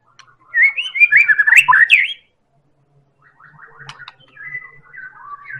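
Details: Medan White-rumped shama singing as a lure for other birds: a rapid, tumbling burst of high, twisting whistles, a pause, then softer scratchy notes and drawn-out whistles.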